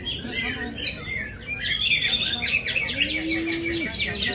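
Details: Energetic song of a champion greater green leafbird. Varied whistles open into quick, repeated sharp chirps about three or four each second. A low steady hum enters near the end.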